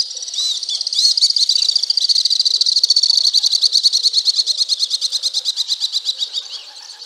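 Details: Alpine swifts in Hérault, France, July 2022, give a long, high, chattering trill that speeds up, then breaks into slower, separate pulses toward the end; several birds seem to overlap.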